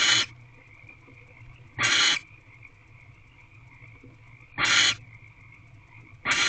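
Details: Harsh, hissing screeches from a female barn owl in an owl box, evening of 29 March 2023, possibly calling her mate or warning off something outside the door; four bursts at irregular gaps of one to three seconds, constant background hum.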